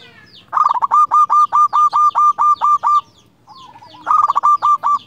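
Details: Local zebra dove, a lively singer with a clear voice, calling a rival: a rapid run of about a dozen staccato, even coos near one pitch, a short pause, then a second quick burst of the same clipped notes.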